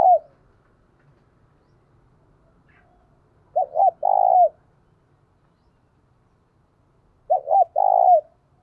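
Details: Spotted dove, a decoy bird, giving its gáy gọi calling coo: two phrases, each two quick clipped notes followed by a long throaty purring coo, spaced about three and a half seconds apart in silence.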